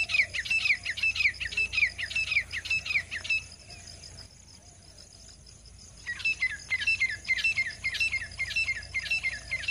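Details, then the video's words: Female grey francolin uttering bursts of quick, high, downward-slurred chirps; a first series of about three seconds, a pause of near three seconds, then the rapid chirping resumes. "ग्रे फ्रेंकोलिन आवाज तीतर आवाज फीमेल की आवाज मदी तीतर की आवाज"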